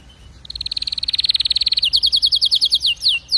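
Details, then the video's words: Singing canary delivering a long, rapid, even trill of bright notes that speeds and swells, then breaks into a slower series of sweeping downward-slurred notes near the end. "اذا كناريك ما تغير في ضرف دقيقة اطلقو وبلاش تربي كناري"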